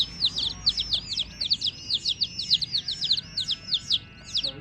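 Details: Baby chicks of the domestic chicken peeping in a dense chorus: high, shrill, downward-sliding cheeps repeated rapidly and overlapping, several calls every second, with a faint low hum beneath.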